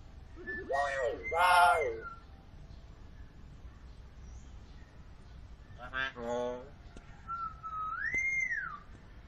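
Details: Hill myna giving two bursts of harsh, nasal, strongly harmonic notes, then near the end a clear whistle that rises and falls, all over a quiet steady hiss.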